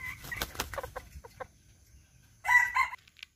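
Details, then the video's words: Serama rooster giving a bold crow: soft clucking and scratchy notes first, then a loud two-part strained crow near the end followed by a brief faint note. "SERAMA CROWS || SERAMA BERKOKOK GAGAH"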